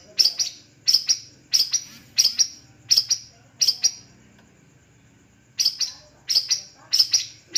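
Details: Perched long-tailed shrike of the Madura type delivering bursts of sharp, high, clipped chirps in quick pairs and triplets, broken by a pause of nearly two seconds before the chirping resumes.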